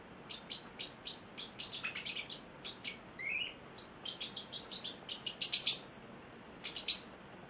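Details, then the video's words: An 8-week-old male Pacific (celestial) parrotlet singing: quick runs of high, dry chirps, with a few warbled notes and louder buzzy squeaks near the end. "the Singing Parrotlet"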